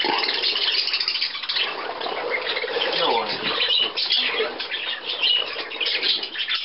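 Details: Millet time for budgerigars on 17 May 2010 with guests from Leer; steady high twittering and scratchy squawks from a crowd of birds, with a faint voice in the background.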